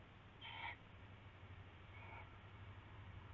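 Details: Owl calling in darkness, February 19, 2016, near the rabbit handover; one clear harsh call followed about a second and a half later by a fainter one, over a strong low hum.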